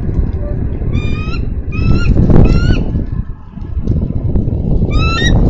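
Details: Female bald eagle at a Minnesota nest-cam nest on 3 May 2013, calling her mate to relieve her from nest duty; four bursts of shrill, clear, stacked piping notes, each a quick series, over heavy low rumbling wind noise.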